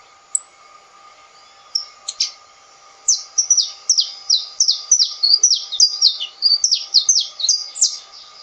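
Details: A saffron finch (canário-da-terra) opens with a few scattered high notes, then launches into a fast, rolling run of loud down-slurred chirps lasting about five seconds, over a steady background hum.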